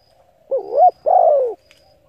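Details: Lure cooing of a spotted dove for exciting decoy birds: one two-part phrase, a quick wavering rise-and-dip note then a longer smooth falling coo, quiet hum in the background.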